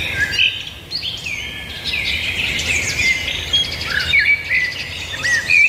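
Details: Many birds singing at once, a tangle of high chirps, trills and short upslurred whistles rising and falling in loudness, with a faint low rumble underneath.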